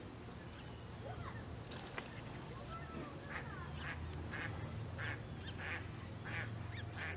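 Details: A Great crested grebe with young, recorded 1 August 2018 at De Gouden Ham, Maasbommel, calls in a string of short, high piping notes, about one a second, over a steady low rumble of wind and water.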